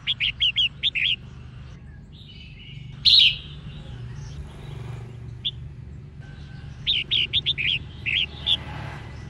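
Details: Song of a female red-whiskered bulbul meant to stimulate males: a rapid run of bright, chirpy notes, then a single loud slurred note, an isolated chirp, and another quick series of clipped, whistled notes; steady low background hum.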